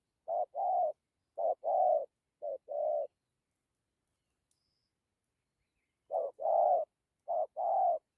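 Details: Spotted dove in the "dặm kèm gù" cooing style: soft, low hooting coos in short paired phrases, three pairs at the start, a long silence, then two more pairs near the end.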